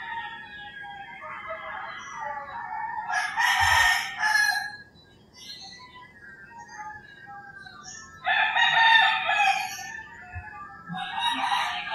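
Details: Early morning in rural Philippines: two loud rooster crows about five seconds apart, each a rich, harsh, sustained cock-a-doodle-doo, with quieter bird chirps and distant crowing in between.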